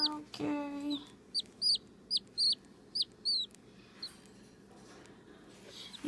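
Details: A six-day-old cockatiel chick gives a quick run of thin, high, sharply bent peeps.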